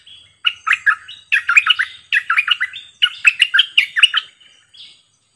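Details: Four rapid warbling phrases in a row from a caged decoy bulbul. Each is a cluster of fluty, bouncing notes separated by short gaps, showing its varied repertoire.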